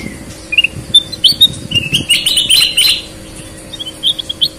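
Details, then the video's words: Sooty-headed bulbul song, from red-eyed and white-eyed birds: a few clear whistled notes building into a brief rich warbled burst, then scattered chirps, over a soft background hum. "Burung kutilang gacor mata merah vs mata putih"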